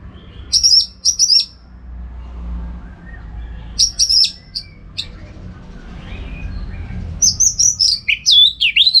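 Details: Orange-headed thrush as a song-contest training bird, delivering clusters of sharp, high, buzzy whistled notes in short bursts separated by pauses, ending in a fast descending run.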